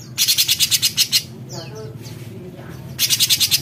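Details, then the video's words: Cucak cungkok bulbul in full besetan voice: a long, harsh, rattling buzz of rapid pulses, a pause with soft chirps from other birds, then the scratchy rattle starts again. "Besetan Cucak Cungkok Gacor"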